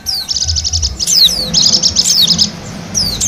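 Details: Song of a wild white-eye from Bali, meant to attract wild birds: stuttering high trills interleaved with clear downward-sliding whistles, lively and almost unbroken, with soft low-frequency noise underneath.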